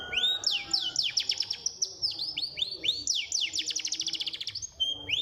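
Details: High, lively bird song played to bring caged birds into song, with strings of upward-curving whistles and a rapid trill in the middle, ending on sharp rising notes.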